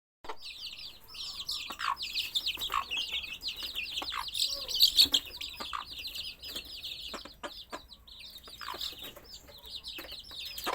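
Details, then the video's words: Baby chicks peep nonstop: many high, thin chirps overlap in a dense, busy chorus, with scattered clicks and knocks in the background. "Baby CHICKS Chirping Sounds"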